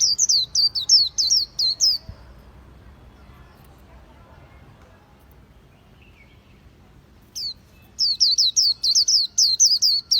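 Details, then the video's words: Khuyen bird with two bouts of quick, shrill descending whistled notes, separated by a long silent stretch with faint background hum. "Khuyen Bird"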